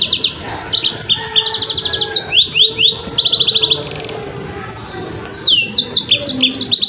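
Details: Song of a yellow-fronted canary from a song-tutor recording: rapid high trills and sweeping whistles chained together, a short buzzy burst midway, then more trilled phrases after a pause, over a faint low hum.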